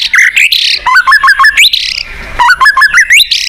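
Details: Selected white-rumped shama song played to stir caged shamas into singing, loud and clear: stepped ladders of rising whistled notes alternating with sweeping, buzzy high phrases.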